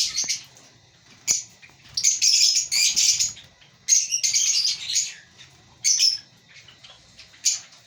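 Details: Chirping African lovebirds at a breeding colony: separate bursts of high, buzzy chattering chirps every second or so, with brief single clicks between them.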